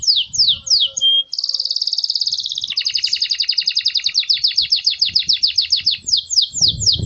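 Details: Belgian canary song offered as a clean, clear tutor recording to warm up young birds: fast series of descending whistled notes, a steady buzzy roll, then a long rapid rattling trill of evenly spaced notes.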